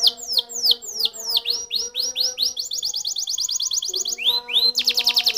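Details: Canary song of descending swept whistles that turn into rising ones, then a quick run of high repeated notes. Two upswept calls and a dense buzzy trill finish it, with soft low droning beneath.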